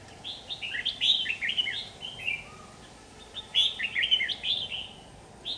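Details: Two bursts of quick warbling notes from a red-whiskered bulbul, captured on an AX40 4K camera. The phrases are chirpy and slurred, with a steady noisy background.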